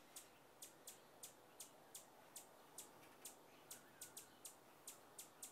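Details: Rufous hummingbird, described as a feisty North American hummer, giving sharp, high ticking chips, one every third of a second or so, fairly evenly spaced over a soft steady background hiss.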